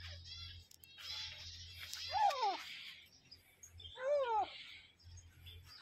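A female grey francolin gives two loud, ringing calls about two seconds apart, each a harsh arched note rich in overtones, over a steady low hum and background hiss.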